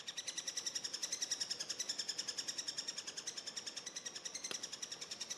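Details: Begging of young Eurasian three-toed woodpeckers being fed: high, sharp chirping notes run together in an even, fast rhythm of roughly three or four per second, with one brief click near the end.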